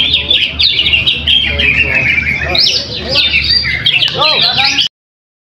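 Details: Greater green leafbird (cucak hijau) singing at a weekly practice contest in Trowulan, Mojokerto, where it took first place though not fully fit; dense, rapid warbled phrases and chattering trills with sweeping whistles, steady low background hum throughout.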